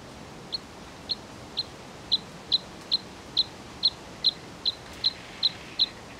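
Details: Bluethroat giving a steady series of about thirteen short, sharp high notes, spaced roughly half a second apart and slightly louder toward the middle, over a quiet background hiss.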